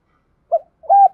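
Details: Spotted dove lure call used by bird keepers to provoke males into singing and fighting; two short, mellow coos, the second longer and steadier, against a silent background.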